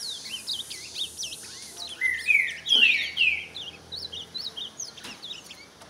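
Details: Ultramarine grosbeak performing at a rival: rich whistled phrase of three or four slurred falling notes in the middle, surrounded by many quick high chirps and twitters from other birds.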